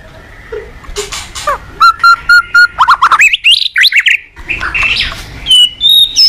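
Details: Morning song of a caged white-rumped shama used as a training lure: a few harsh notes, then a row of five clear level whistles, followed by rising slurred whistles and varied phrases.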